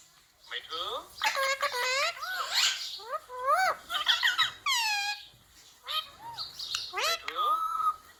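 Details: Pet ringneck parrot (rose-ringed parakeet) talking, repeating the words mummy, papa and mithu; a run of squeaky, harmonic syllables with quick rising and falling pitch sweeps, delivered in bursts separated by short pauses.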